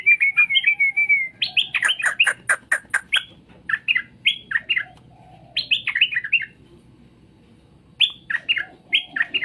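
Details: Straw-headed bulbul song played to make other birds answer: a wavering whistled phrase opens, then a fast series of sharp, stacked notes and bubbly, descending warbled phrases repeating in bursts, with a short pause before the chatter resumes.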